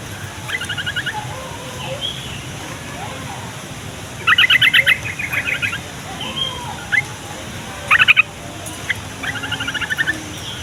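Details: Song of a yellow-vented bulbul, used to bait young and reluctant bulbuls into singing and to draw wild ones near: scattered quick chattery bursts, the loudest around the middle, with softer notes and faint hiss between.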